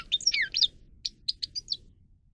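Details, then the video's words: Grey-crowned goldfinch song played for training cage birds: a fast burst of twittering, sliding notes in the first second, then a series of short high chips and buzzy notes spaced about a quarter second apart, otherwise quiet. "(Carduelis caniceps) Goldfinch song Best for training"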